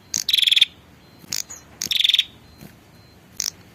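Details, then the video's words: A female prinia calls the male with two fast, rattling buzzes, each made of quick pulses. Short sharp chips fall before and after each burst. "suara pikat burung prenjak betina memanggil jantan"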